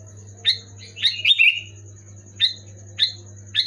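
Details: Sooty-headed bulbul song played loud to get idle pet bulbuls singing. One tumbling, warbled phrase of falling whistles, then single sharp chirps about every half second, over a steady background hum.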